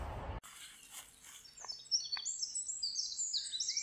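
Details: Eurasian Wren in late winter (January) at a forest edge near orchard meadows, singing its very loud, high, metallic trills that tumble rapidly over each other, often from an exposed perch with its tail cocked; a short rustle comes first.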